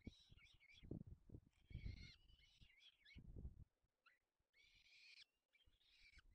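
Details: Peregrine falcon feeding young, Barycz Valley, Poland, May 2020. Rasping squeals and short harsh notes come in bursts, with loud low bumping at first, then a quieter stretch and two more long screeches.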